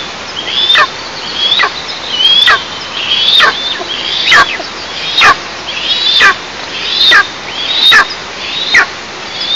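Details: Eastern imperial eagle at a nest in a 20 m pine in south-east Tatarstan, 11 July 2024, 09:14, giving a series of harsh, honking yelps, about one a second, each with a brief rising-falling inflection; faint clicks in background.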